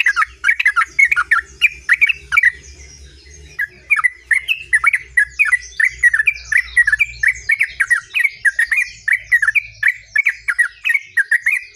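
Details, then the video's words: Rolling song of a sooty-headed bulbul, a continuous chain of quick, chirpy, slurred notes delivered almost without pause for the whole stretch, over a faint low background hum. "terucuk Gacor ngerol"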